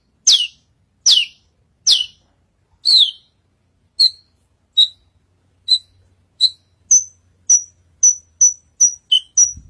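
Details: Australasian bush lark on a stage giving sharp downslurred high notes that soften into short, clipped whistles, then a quickening run of thin, very high pips toward the end, with a faint low hum.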